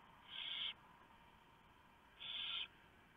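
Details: Barn owls at night on 3 November 2015, female shredding a huge mouse brought by the male for the owlets; two loud breathy screeches, each under half a second, about two seconds apart.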